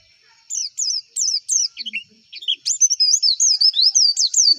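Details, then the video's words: White-eye lure song for raising singing drive in competition birds: several high whistled phrases, a short gap, then a dense, fast stream of wavering high notes continuing to the end. "PANCINGAN PLECI AGAR CEPET BUKA PARUH"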